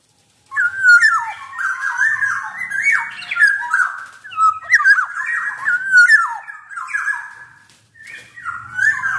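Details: Black-naped oriole in a tutor and lure recording. It gives a long, continuous run of fluty, warbling whistled phrases that keep shifting in pitch, with brief breaks between them.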